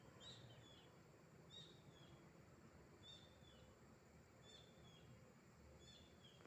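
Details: Unfamiliar bird calling beside a railway track: faint, high, short notes, each sliding slightly downward, repeated roughly every one and a half seconds against a steady low rumbling background.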